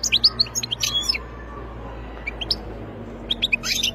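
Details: Wild European goldfinch giving short bursts of sharp, high tinkling twitters. The phrases are separated by a quiet gap and then resume at the end, over a steady low background hum.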